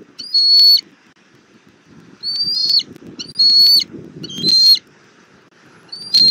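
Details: Wild bald eagles meeting as a family on the nest tree in Southwest Florida, spring 2024 camera footage: five thin high whistled notes, some slightly upslurred, spaced irregularly, with a low murmur beneath.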